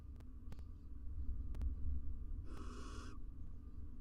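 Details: Wild female barn owl incubating six eggs in a nest box in Israel, beside her mate, on a live nest cam; a single harsh, raspy hiss about half a second long over a low background rumble, with a few faint knocks.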